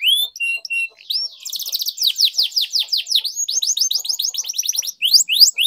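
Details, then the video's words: Canary in energetic long-rolling 'ngerol panjang' song used for song training: high whistled notes, then rapid repeated downward-sweeping chirps and buzzy trills, with brief pauses between phrases. "Canary Singing Training, Kenari Gacor Ngerol Panjang, Pancingan Kenari Macet, Masteran Kenari Paud"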